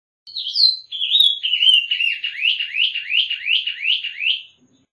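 Vermilion cardinal singing a clear whistled phrase: a few high slurred notes, then a run of about eight quick rising whistles, each slightly lower.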